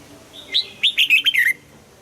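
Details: Red-whiskered bulbul singing one crisp phrase of its double-note morning song, mature wild style, for voice training: a soft lead-in note, then about six quick whistled notes ending in a falling slur.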